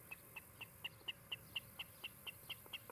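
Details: Osprey calling from a nest in Charlo, Montana, filmed by a nest camera on a July 2018 afternoon. Thirteen short, sharp, clear chirps are evenly spaced at about four per second, quieter than the steady low rumble underneath.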